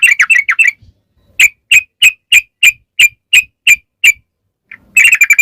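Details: Yellow-vented bulbul performing 'ropel' song meant to coax other bulbuls into replying: a quick cluster of chirps, then evenly spaced single sharp notes about three per second, ending in another rapid burst.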